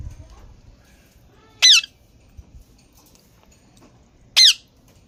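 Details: ['Two short, piercing squawks from a green parrot, spaced nearly three seconds apart over a quiet background.']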